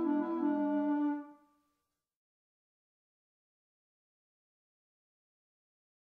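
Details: A brass-like musical tone with rich stacked harmonics sounds for about a second and a half, then fades into complete silence.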